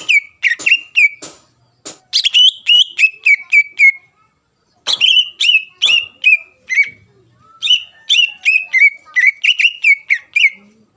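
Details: Caged greater green leafbird singing loudly to stir a rival bird to answer: bursts of crisp whistled notes with sharp flicks, broken by short pauses, each phrase a quick string of similar descending whistles.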